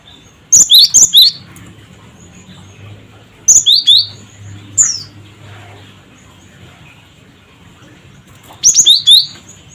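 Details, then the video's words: Cinereous tit calling as a lure to make other birds respond: rapid groups of four or five high, sharp whistled chips, then one single note and a second group, with steady low hum beneath. "Suara Burung Gelatik Batu Cret Cret Wucit"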